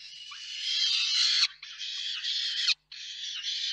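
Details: At a peregrine falcon nest in Reda, Poland, 4 May 2023, during a food delivery by the parents: loud, drawn-out grating screams, three sustained rasping bursts with brief pauses.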